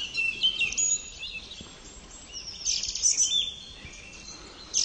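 A thrush gives high, thin, squeaky notes and twittering phrases in short bursts, with light background noise.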